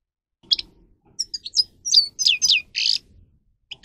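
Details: Training song of a grey-crowned goldfinch: spaced, bright chips and downward-swooping twitters, quickening into a short buzzy rattle, with quiet gaps before and after the phrase.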